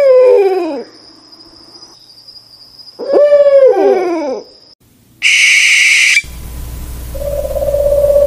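An owl gives two bursts of wavering, falling hoots and wails. A steady high electronic whine runs underneath, followed by a burst of hiss and a low hum.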